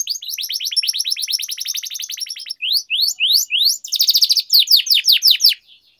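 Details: Canary tutor song in long-roll style: a long, fast run of sharp downward notes for over two seconds, then rising whistled slurs, a dense rattle, and quick falling sweeps before tapering off.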